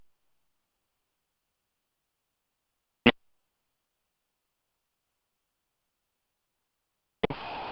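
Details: Near silence broken by a single sharp click and then a brief burst of noise at the end.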